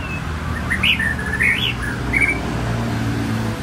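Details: White-rumped shama singing: a few clear whistled notes, some rising and some falling, delivered in a loose, varied run over a steady low rumble of background noise.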